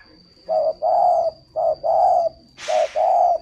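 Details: Spotted dove from a bird-breeding garden in Ba Vì district, Hanoi, Vietnam, giving low, hollow coos in pairs of a short note followed by a longer one, three pairs in a row. A steady high electronic whine runs throughout, with one brief hiss burst.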